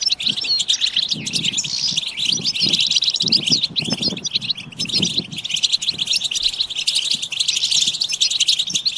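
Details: Goldfinch group batbata to encourage song: dense high chirping and twittering throughout, accompanied by repeated low dull thumps and rustles in the first half.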